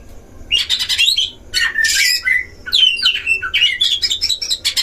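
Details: Caged Oriental magpie-robins in a duel at a breeding cage, used as a lure: harsh squawking, rasping bursts interleaved with short whistled warbles, growing busier after a quiet opening second.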